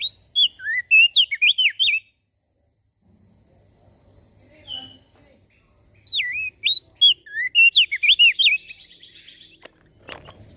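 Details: Caged Javan grey-throated white-eye singing vigorously to draw other birds into song: two long phrases of rapid, zigzagging high whistles, each about two seconds, with a quiet pause between and a faint click at the end.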